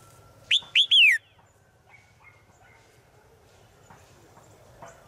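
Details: Female bird calling to a male in the forest every day: one loud three-note whistled phrase, two rising notes and a longer falling note, then quiet with faint background sounds.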